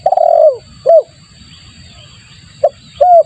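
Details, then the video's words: Lure call of a spotted dove: a long, rolling, downward-sliding coo and a clear coo, a pause, then a short note and another coo. Low rumble and a faint steady high tone in the background. "suara pikat tekukur bagus untuk pancingan"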